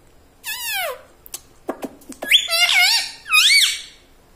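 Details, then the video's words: Talking parrot kept as a pet, which says "mummy" and "radhe radhe": a falling squeaky syllable, then clicks, then two rising and falling harmonic phrases. "talking parrot mummy ||mummy bolne vala parrot ||radhe radhe vala parrot"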